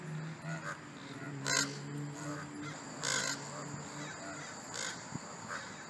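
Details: Two pairs of ravens fighting: a few loud, rough calls stand out at intervals of about a second and a half, over a steady low hum and broad background noise.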